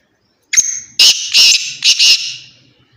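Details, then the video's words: Black francolin, the kala teeter, from Khushab: a loud harsh call opening with a sharp rising note, then three or four grating, buzzy pulses in quick succession, fading out at the end. "kala teeter ki awaz"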